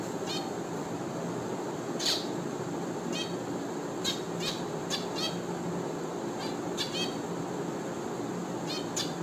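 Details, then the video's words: Finches give short, sharp, high chirps, singly or in quick clusters of two or three, over a steady low murmur of background noise. "FINCH BIRD and it's natural sound."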